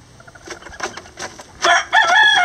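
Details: Lavender bantam chickens, miniature roosters with a hen building a nest: quiet scattered clucks and ticks give way to two loud, harsh, raspy outbursts that close the recording.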